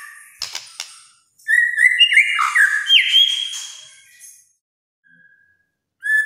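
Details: Loud song of a White-rumped shama: a few sharp clicks, then a long rich phrase of sustained whistles stepping upward with buzzy overtones, fading into silence before a last short whistled note.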